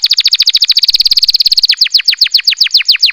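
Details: Canary singing in the breeding season to stimulate mating: fast trills of high descending notes repeated several times a second, a rapid rattling run, then slower downward-sweeping whistles.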